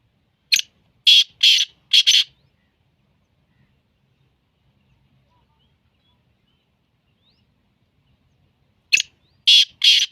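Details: Black francolin, described as Sindhi, giving two bursts of four harsh, grating, rasping notes in quick succession, separated by about six seconds of near silence.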